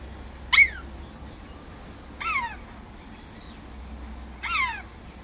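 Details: Pet rainbow lorikeet spending time outdoors on a verandah, talking to birds outside: three loud, clear, descending harmonic calls, each sliding downward and spaced about two seconds apart, over a low steady background hum.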